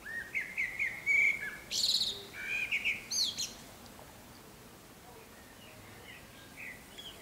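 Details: Common swifts, at least six, sweeping around occupied nest boxes and a roof ridge corner: shrill, harsh screams rising into high broadband bursts, with thinner chirping notes before them, then quiet background.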